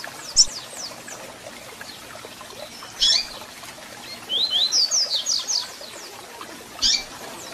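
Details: Double-collared seedeater song mixed with calls, meant to rouse a caged bird: isolated sharp chips, then a quick rippling series of high descending whistles around a second long, another chip after, faint background hiss.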